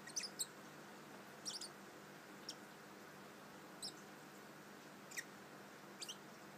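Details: Pet Bourke's parrot twittering softly indoors before falling asleep: brief, thin, high chirps in about six short bursts spread across the clip, each a quick cluster of notes, over a steady quiet room hiss.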